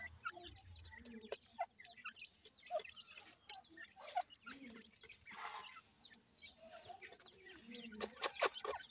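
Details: Partridge chicks at feeding time in a rearing setup: a soft continuous crowd of high falling peeps, occasional lower clucking notes and a run of sharp clicking knocks toward the end.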